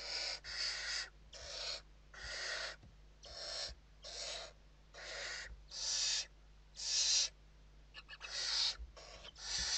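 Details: Evening feeding in a Western barn owl nest in Spain, 29 November 2023; a long run of about fourteen rasping hisses of varied length and loudness, some clipped short, with faint taps between.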